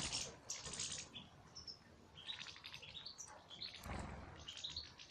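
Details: Goldfinches kept in an aviary give clipped, high twittering notes, several rising or falling, in loose bursts. Bursts of rustling noise break in at the start and near the middle.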